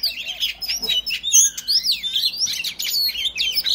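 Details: An Oriental magpie-robin sings to provoke rival males, with swooping whistled notes, one long downward slur, and scratchy chatter in between.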